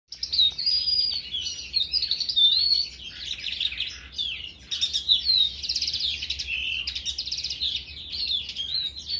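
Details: Crested lark singing in an outdoor aviary in February 2019: a fast, continuous warble of high chirps, trills and short whistled slurs, with a steady low hum beneath.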